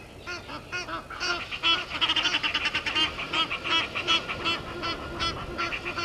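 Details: Egyptian geese disputing with intruder geese at a waterhole dam in Djuma Game Reserve, Sabi Sand, South Africa, 17:08, 10/04/21: rapid, loud, harsh honking in a dense, excited chorus, several calls per second.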